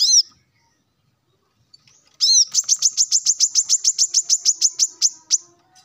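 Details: Male plain-throated sunbird in morning song aimed at rivals: one arched note, a pause, then a rapid, steady trill of about twenty sharp, high chirps.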